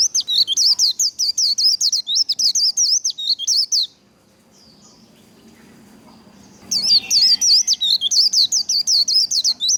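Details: White-eye "líu" song for training: long runs of rapid, high, up-and-down whistled notes, about six per second, broken by a three-second near-quiet gap with faint soft notes.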